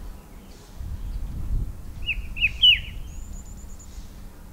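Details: One cheery phrase from a Himalayan shrike-babbler on a bare pear tree in hillside orchard gardens: three short slurred whistles rising in strength, followed by a thin high whistle from another bird, quiet low hum throughout.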